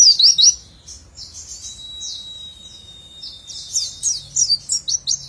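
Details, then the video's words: White-eye giving quick high chirps, a quieter stretch with a thin steady tone and faint twittering, then a run of loud sharp whistled notes in rapid bursts. "burung pleci nembak rapet witwitwit sambung ngecer sadis"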